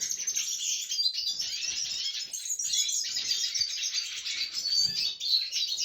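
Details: Red siskin recorded on 20 December 2023: a dense, continuous high twittering with rapid chirps and buzzy trills, unbroken across the whole stretch and steady in loudness.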